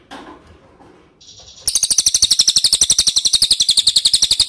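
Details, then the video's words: Ashy tailorbird call used as a lure to draw answering birds: after a faint start, a loud, rapid chatter of sharp high chips runs without a break to the end. "PANCINGAN CILILIN DIJAMIN NYAHUT"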